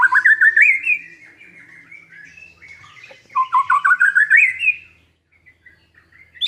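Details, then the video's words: Lure song of a white-rumped shama, meant to rouse a silent bird: two bursts of fast, loud, rising staccato notes separated by quieter twittering warbles. A high note closes the clip. "MURAI BATU GACORAN pancingan burung macet"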